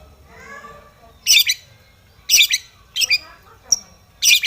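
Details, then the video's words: Long-tailed shrike in an aggressive rival-seeking song meant to stir other shrikes: loud scratchy double notes repeated about every half second after a faint lower warble at the start. "cendet gacor MENCARI LAWAN"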